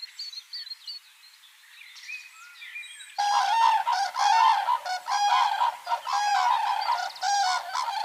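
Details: Common cranes in a herd at a village pond, Ahirauli, Kushinagar, India, in summer: soft chirps of small birds for three seconds, then loud honking trumpet calls from several cranes, rapid and overlapping, roughly one per second.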